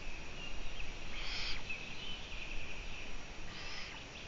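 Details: Long-eared owl on a live stream at 04:49 on 14 June 2017; two breathy, hoarse hissing bursts about two seconds apart, each lasting under half a second, over a steady high-pitched insect-like hum.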